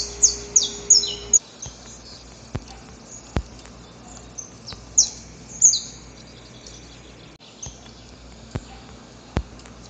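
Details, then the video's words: Wild male saffron finch recorded in nature, singing before dawn while courting a female. A quick burst of sharp, high, downward-slurred notes opens the clip, followed by a few scattered high chips over a steady faint background hum. "Canto Para Esquentar o Canário da Terra"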